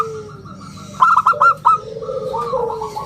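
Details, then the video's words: A vigorous local zebra dove, kept as a lure and tutor for other birds, gives a single phrase of five quick ringing staccato notes. Lower drawn-out cooing from another dove follows. "suara bulat kristal - perkutut lokal gacor suara istimewa buat pancingan dan masteran"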